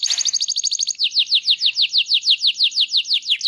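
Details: Canary rolling song used to coax other canaries into singing, opening with a rapid high trill then steady repeated downslurred whistled notes about five per second, clear and loud.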